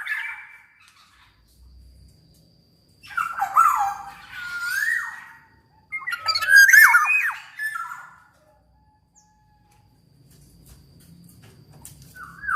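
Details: Black-naped oriole in lively gacor song meant as a lure for silent orioles: rasping squawks and falling whistles in two bursts, with long quiet stretches between.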